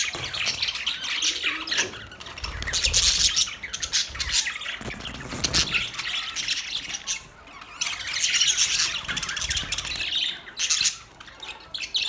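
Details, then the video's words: Budgerigar chatter comes in waves of high squeaky chirping and warbling. It grows loud around three and nine seconds, with quieter gaps between, and soft low bumps in the background. "Australian Parrot Bird Chirping sound"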